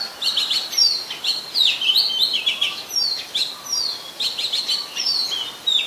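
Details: Oriental magpie-robin singing in Ubon Ratchathani, Thailand, 24 December 2020: rapid clear whistled phrases with falling and rising slurs and sharp high accents, repeated in lively bursts about every second.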